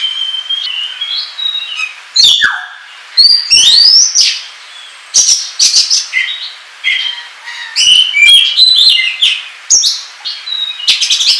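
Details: Lure song of an Oriental magpie-robin, 'ngobra' style, for trapping and tutoring: clear sustained whistles alternate with rising slurs, rapid chip clusters and harsh buzzy bursts, phrases packed closely with brief pauses.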